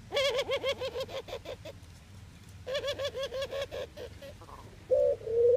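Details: Eurasian collared dove in the Netherlands giving rapid bursts of short, bouncing, low notes, about a dozen per burst in two runs, ending in a single long steady coo.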